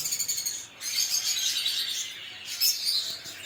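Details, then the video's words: Lovebirds, small parrots, chattering in a dense, shrill, high-pitched stream of overlapping chirps and squeaks, briefly dipping near the start before swelling again, with no other clear sounds. "LoveBird Singing & Chirping Sounds"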